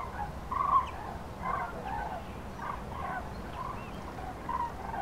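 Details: Common cranes on spring migration over central France, 5 March 2016, afternoon, flocks scattered by bad weather; faint, distant rolling trumpet calls from several birds, repeated unevenly against steady wind-like background noise.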